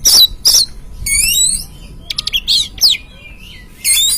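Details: Oriental magpie-robin song played as a lure to provoke a caged bird to sing: loud harsh buzzy bursts, then bright rising and falling whistled phrases, separated by short pauses.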